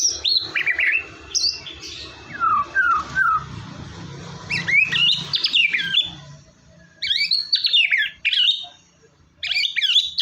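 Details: White-rumped shama (murai batu) song used to stimulate a bird that is unwilling to sing: varied whistled notes and descending slurs, then dense bursts of rapid twittering phrases, with low rumbling background noise in the middle section.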